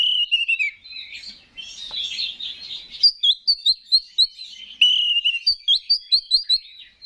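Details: Oriental magpie-robin giving a provoking song to trigger other males, beginning with a falling whistled phrase and scratchy chatter, followed by a fast regular series of sharp chirped notes.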